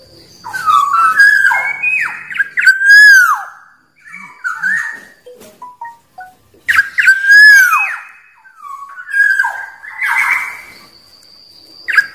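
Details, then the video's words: Black-naped oriole, wild, song used against rivals: two similar bursts of liquid whistles, each peaking in a strong downward-bending note, separated by scattered soft chirps and a brief quiet gap. "Suara Burung Kepodang liar"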